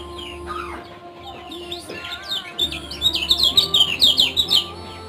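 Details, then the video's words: Lemon-bellied white-eye (kecial kuning) from Lombok: soft, scattered high chirps over a steady low hum at first, then a loud, rapid burst of sharp twittering notes for the final two seconds. "Ciak - Ciak Josss Gandos Kecial Kuning Lombok"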